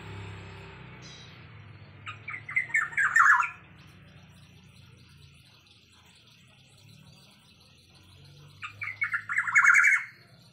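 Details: Blue-winged leafbird giving two bursts of rapid, chattering, squawky notes, the first around three seconds in and the second near the ninth second, separated by quiet with a low background hum.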